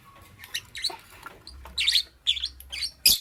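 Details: Lovebird in the morning: soft, scratchy twitters that build into louder, harsh, buzzy chirps, ending in one sharp shriek.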